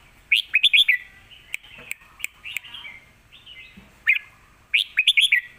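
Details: Red-whiskered bulbul kept in a cage, singing a fierce lak wai style master song for teaching young birds; rapid groups of five bright, bubbling, slurred notes, a drawn tone between them, and a final rich cluster.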